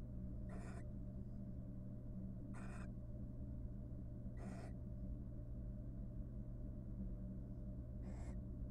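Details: Barn owls, a wild breeding pair courting once their three nestlings are raised, inside a nest box: four rasping broadband screeches spaced about two seconds apart over a low drone.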